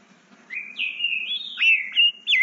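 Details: Eight-month-old green-winged saltator in a breeder's aviary, practising its song: a fast run of connected whistled notes, rising and dipping in pitch, ending in sharp inflected slurs.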